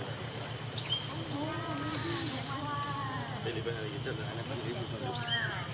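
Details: Wild Oriental pied hornbill in Singapore giving a run of harsh, nasal, cackling notes in short bursts, over a steady insect hiss and a low pulsing hum.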